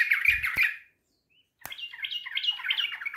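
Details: A tame yellow-vented bulbul loose from its cage gives harsh, scratchy chatter, goes briefly silent after a sharp click, then gives a run of jumbled, warbling notes.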